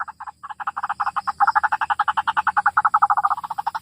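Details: White-breasted waterhen sound used as a lure for trapping: a fast, stuttering run of throaty croaks, many per second, building in loudness then easing off.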